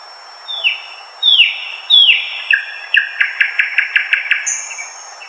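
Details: Thrush nightingale singing from dense undergrowth, a bird of eastern Poland's May nights: three loud, sharply descending whistles, then a fast, rattling series of about ten clipped, metallic repeated notes, with a brief high note near the end.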